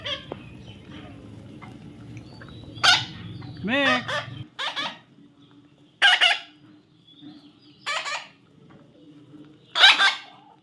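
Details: Baby parrot giving harsh, broadband squawks in short bursts, about one every two seconds, with a brief rising harmonic call near the middle and a low hum in the first half.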